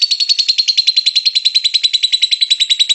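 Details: Lovebird ngekek song meant to prompt other lovebirds to sing: brisk, regular high chirps, about three to four each second, clear and uninterrupted.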